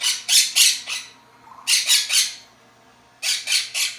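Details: Pet parrots, a Quaker parrot and an African grey kept together at home, give loud, harsh, grating squawks in quick bursts of three or four, with short pauses between bursts, in a quiet indoor room.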